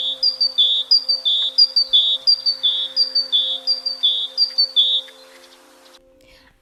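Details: Great tit, a wintering bird near homes in winter, sings a bright, ringing two-note phrase, high then lower, repeated rapidly like 'tea-cher, tea-cher'.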